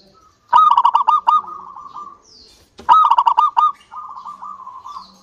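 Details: Local zebra dove in full song, used to draw other doves into singing. Two phrases, each opening with rapid, sharp pulsed notes that run into a lower, even, rolling trill.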